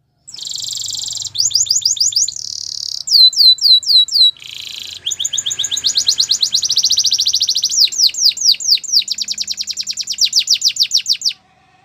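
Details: Canary singing a long training song: a buzzy trill, sets of repeated slurred whistles, a low rasping roll, then a long run of rapid chirps accelerating into fast falling notes, sustained nearly twelve seconds.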